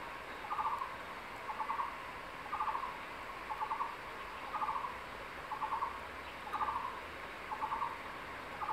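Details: At a nest in secondary forest, a male crested goshawk calls his mate to lunch on a freshly caught tree lizard. Nine evenly spaced, quick stuttering bursts come roughly every second.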